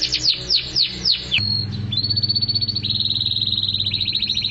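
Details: Canary in mabok teler song style: quick descending whistled slurs lead into a long rapid high trill of evenly pulsed notes, over a low steady hum.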